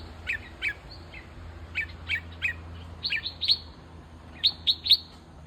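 Bulbul calls: short, bright chirps and slurred notes, single or in quick pairs and triplets, spaced irregularly, over a low steady hum.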